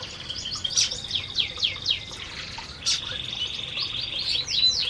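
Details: Several canaries eating in an aviary: fast, bright twittering of repeated down-slurred chirps, then a steady high trill running under further chirp bursts, with no other clear sounds.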